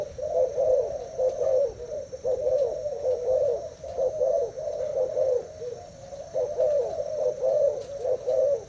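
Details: Caged Thai-type spotted dove, two days in the cage, contesting a decoy bird: unbroken chain of low, mellow coo phrases, loud and regular, with no other clear sounds.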